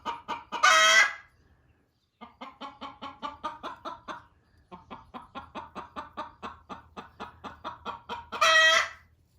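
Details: Loud hen in a barn urging a laying hen off the nest: a harsh squawk, then two long runs of rhythmic clucks, ending with another loud raspy squawk.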